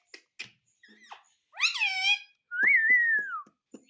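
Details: Pet parrot indoors: soft tapping clicks, then a loud harmonic syllable falling in pitch, followed by a long clear whistle that sags slowly downward while faint taps continue beneath.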